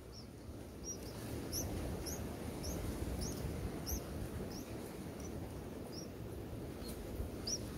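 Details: Bulbul nestlings in the nest, fed by their mother, give thin, high chirps, three or four a second and irregularly spaced, over a steady low background rumble.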